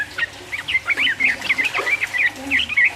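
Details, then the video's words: Sooty-headed bulbul in rapid 'ropel uplik uplik' song to excite rivals: dense run of bubbly, slurred whistles nearly without pause, ending in a few sharper notes. "trucuk gacor ropel uplik uplik merangsang lawan"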